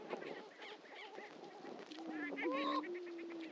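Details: Greater prairie-chickens displaying on their historic lek at Dunn Ranch Prairie, Hatfield, Missouri: a busy chorus of clucking cackles, joined partway through by a steady low hum and a rising, nasal whoop.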